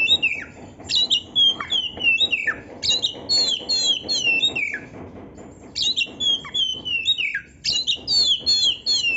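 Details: Oriental magpie-robin singing with canary-learned material, a steady run of short whistled phrases, each a bright high note sliding sharply downward, repeated in clusters with short gaps over a faint low hum.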